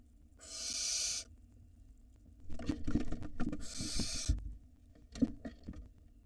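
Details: Barn owl nestling reaching the nest entrance, recorded by a live nest camera in Israel in 2022. Two long, rasping hisses are separated by scratching and knocking sounds as the young bird moves about.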